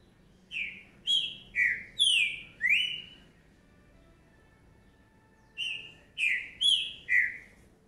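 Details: A young green-winged saltator (trinca-ferro) from 2019 sings loud, rich whistled notes indoors: a burst of five slurred phrases, a pause, then four more, in a quiet room.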